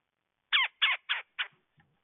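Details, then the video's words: Red-bellied woodpecker calling, four harsh rolling churr notes about a third of a second apart, the last one weaker, followed by a faint trailing note. "Red Bellied woodpecker"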